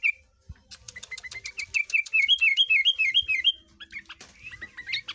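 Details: Caged sooty-headed bulbul from Tegal, Indonesia, hand-raised, singing in a rich mimicking style likened to a long-tailed shrike: a fast run of repeated looping whistled notes, about three per second, with scratchy chatter before and after.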